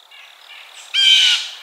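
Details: Blue jay calling: after faint notes, one loud, harsh, nasal scream lasting under half a second.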